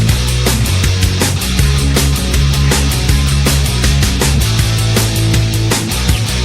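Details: Loud, heavily distorted rock music with driving drums and bass fills the whole recording, and no animal voice can be picked out.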